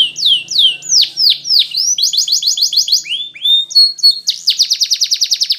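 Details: A Spanish Timbrado canary sings training song: slow falling swoops, then a clipped repeated trill, short whistles and a final fast rolling trill.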